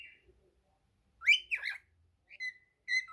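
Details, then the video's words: Cockatiel singing, a loud swooping whistled phrase followed by short flat whistled notes, in a quiet room. "Calopsita cantando ❤ cockatiel singing"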